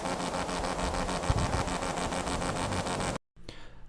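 Steady broadband rumble like traffic or an engine, cut by a brief silence near the end, with no animal voice audible.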